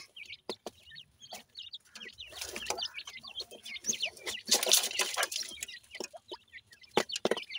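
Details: Grey francolin chicks, the dakhni teetar, feeding: rapid high upslurred peeps chatter along, with a patch of hissing rustle in the middle and a few loud clicking taps near the end.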